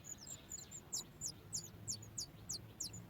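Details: Begging sooty chat chick at the nest, stirred by its mother bringing food: quick high-pitched squeaky chirps, about two each second, some doubled, with a low hum beneath.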